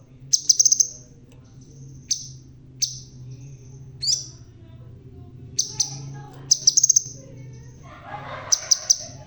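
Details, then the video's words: Crimson sunbird, red-tailed and bald, still in full voice: sharp, very high chips delivered singly and in quick clusters of three or four, scattered irregularly with short pauses between. "Burung Sepah Raja Ekor Merah.. Biar Botak Tapi Tetap Gacorrrrr.."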